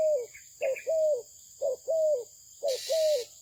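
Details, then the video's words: Spotted dove, a Malaysian bird bred for good voice, cooing: soft low coos, each short note followed by a longer slightly falling one, three pairs in a steady rhythm about once a second, with a steady high hiss behind. "The Sound Of the dove"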